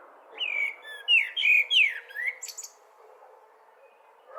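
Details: Blackbird singing: a single mellow, fluted warbled phrase of rising and falling notes, ending in a brief high squeaky twitter, over a soft steady background hiss.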